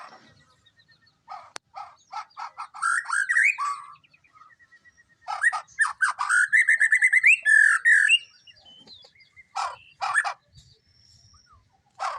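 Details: White-rumped shama (murai batu) singing vigorously in gacor style: bursts of rich, rapid whistled and chattering phrases with rising slurred notes and dense trills, broken by short pauses; one sharp click early on.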